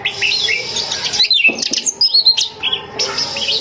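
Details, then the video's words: Female Oriental magpie-robin, kept at home, calling to draw in males: bursts of varied high whistles and chips broken by short pauses, with a faint low hum in the background. "BURUNG KACER GACOR SPESIALIS RUMAHAN"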